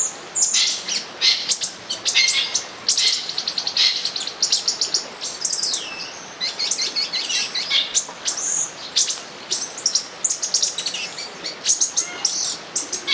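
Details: Long, lively chatter of olive-green tanagers during mating at São Bento do Sul: stacked very high chirps and twittering notes pour out almost without pause, several birds seemingly overlapping, plus a few swooping whistles.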